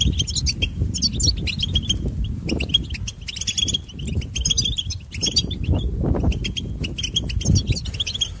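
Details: A European goldfinch, a noted imitator of other birds, sings long runs of rapid chirping twitters and short trills with brief breaks over eight seconds. Low rumbling and thudding noise sits underneath.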